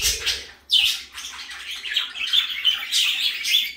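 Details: A favourite pet parakeet chatters indoors in a quick run of high, scratchy chirps and warbles, with a louder squawk near the start.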